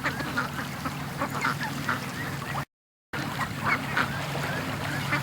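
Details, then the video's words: Domestic ducks let out of their pen in the morning, rushing to the creek and lake; busy chorus of short quacks from many birds over a constant low hum, broken by a brief gap. "Ducks At The Creek Morning Rush"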